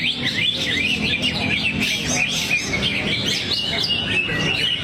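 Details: Greater green leafbird throwing out song material: loud, rapid sequences of sweeping, bouncy high whistles and chirps packed tightly together, with faint low hum behind.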